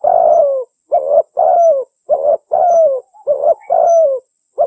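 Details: Calling female spotted dove, the kind used to lure males: a dense, unbroken run of low mellow coos, long downward-sliding notes alternating with shorter rounded ones, about seven or eight notes in under five seconds.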